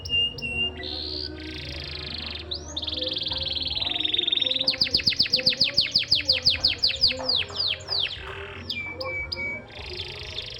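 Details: Canary singing a long varied song: sustained high buzzy trills and whistles, then a rapid rattling series of sharp descending notes, and back to ringing trills, with a faint low hum underneath.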